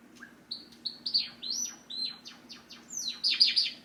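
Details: Tame pet Java sparrow kept in a cage, singing as its owner gets up to leave: a run of short high chirps and whistled notes, some rising and some falling, building to a faster, denser burst of buzzy notes at the end.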